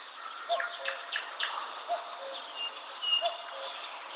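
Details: Bird chirping: a short clear note repeated about every one and a half seconds, mixed with quick downward-sweeping chirps and thin whistled tones over a steady background hiss.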